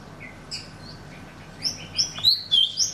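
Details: Golden-fronted leafbird: after a quiet opening with a few soft distant notes, sharper high whistled chirps build up in quick succession during the final second and a half.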